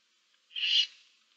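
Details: A single breathy hiss, under half a second long, from barn owl chicks in a nest box with seven owlets, recorded 15 March 2024.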